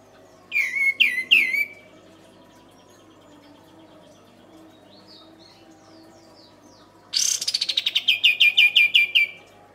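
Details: Kapas tembak singing as training audio for songbirds: three loud sharp descending whistled notes, a pause with faint twitters, then a fast, even burst of about fifteen rapid clipped notes.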